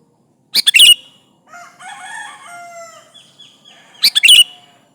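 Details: Sooty-headed bulbul, used as a lure to call rivals. Two loud clusters of rapid, sharp chirps open and close the passage, separated by softer, sustained whistled and warbled tones.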